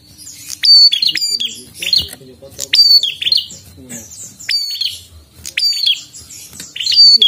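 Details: Prinia singing energetically: loud bursts of sharp, high chirps and ticking notes that drop into short whistled slurs, repeated several times over seven seconds, with quiet gaps between phrases and a faint low murmur behind.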